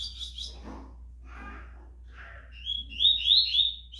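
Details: Tournament rusty-collared seedeater, called fast and strong, bursting into a quick, bright series of sharp upswept notes after some soft rustling sounds, with a low hum throughout.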